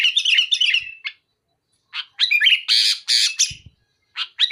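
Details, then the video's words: A sooty-headed bulbul sings with loud, pungent, closely fired phrases meant to pressure a rival: warbling whistles, a silence of nearly a second, then harsh buzzy bursts and short whistled notes. "Suara burung kutilang gacor muntahin isian besetan keras pedas tembakan rapat menekan lawan"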